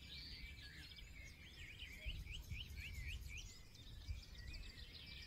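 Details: Forest birds in full song: one voice repeats looping warbled phrases in a rapid series while other birds twitter in the background, all over a constant low rumble.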